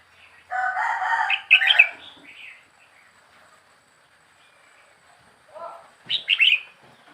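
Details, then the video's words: Red-whiskered bulbul, a young wild bird kept four weeks in a cage, gives short warbled phrases. A rooster crows loudly before the first phrase. "เสียงนกกรงหัวจุกป่า อายุกรง4สัปดาร์"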